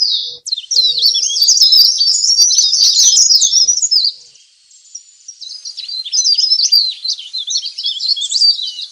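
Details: Leaf warbler lure audio for catching wild birds: about four seconds of loud, busy, high-pitched chattering, a near-silent gap, then softer rapid squeaky notes resuming and building again.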